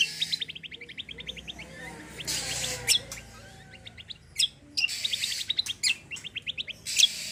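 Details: Cucak kombo (kecial kombo) in lively gacor song with tembakan and besetan phrases, used to prompt untrained birds to sing: rapid runs of short sharp notes, bursts of hissing chatter between them.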